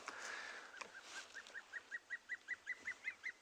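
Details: A juvenile Dark Chanting Goshawk, seen in immature plumage on a morning safari on 19 July 2020, calls for its mother with a steady run of about a dozen short, clipped, mid-pitched notes, two to three a second.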